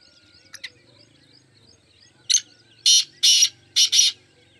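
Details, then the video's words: A few faint clicks, then a black francolin's loud call: one short sharp note followed by four drawn-out, coarse, buzzy notes in a single phrase. Four birds are present. "Black 4 francolins in action"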